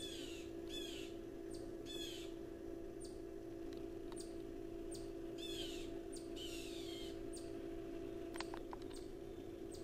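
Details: Tufted titmouse on a July 2024 afternoon, at a feeder eating bark butter, gives harsh, raspy, falling scold notes in short bursts mixed with thin high chips, over a steady low mechanical hum.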